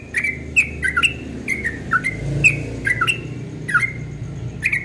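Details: Dawn song of a yellow-vented bulbul in the fast 'ropel' style, praised as very sweet: quick chains of clear, slurred notes, rising and falling, packed almost continuously across nearly five seconds, with faint low rumble behind.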